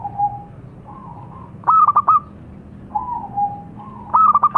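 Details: Zebra dove of a local strain: two phrases, each opening with a soft drawn-out coo, then a sharp cluster of four or five staccato rattled notes, phrases about two and a half seconds apart.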